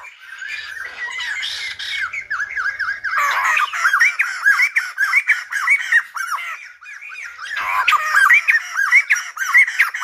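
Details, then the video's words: Energetic song of a silver-headed babbler, said to sing like a lumba dancer, made of dense, looping arched notes poured out almost continuously, bright and chattery, with one brief break near the end. "Khướu Đầu Bạc / Silver -headed Babbler / Singibg like aLumba Dancer."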